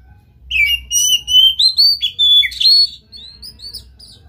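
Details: Oriental magpie-robin in full, vigorous song, a fast run of ringing whistled notes with abrupt jumps in pitch and a few harsher accents, fading into softer chirps at the end.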